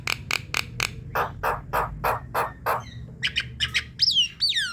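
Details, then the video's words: Javan myna lure call for attracting flocks: quick sharp ticks, a run of evenly spaced rough churring notes, then chattering clicks and two bright looping whistles at the end. "Putarkan suara ini untuk pancingan jalak kebo ombyokan"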